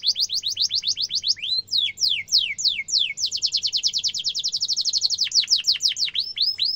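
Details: Canary singing sharp rolling trills meant as a master song for young birds to imitate: fast repeated high sweeps, a few slower slurred notes, then an even rapid trill and closing down-slurred whistles.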